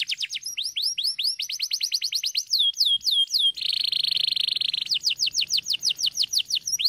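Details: Canary in full song: quick rising syllables, a few drooping whistles, then a long harsh buzzing trill followed by another brisk run of sweeping notes.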